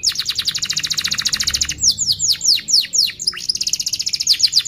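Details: Training lure song of an Atlantic canary: a rapid high rolling trill, then a series of falling sweeping notes, then the fast trill again.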